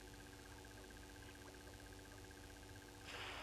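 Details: Brown-hooded kingfisher at Gowrie dam waterhole, Djuma Game Reserve, Sabi Sand, South Africa, at 07:22 on 26 June 2022, gives a fast, even rattle of short piping notes, about ten per second, over electrical hum, ending in noise.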